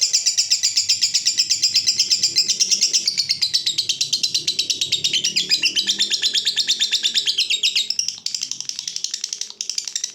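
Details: Long-duration ngekek from a fighter lovebird, a recording used to train other lovebirds; an unbroken, rapid, buzzy chatter of high notes pulsing several times per second for ten seconds, fading slightly near the end, with low background rumble.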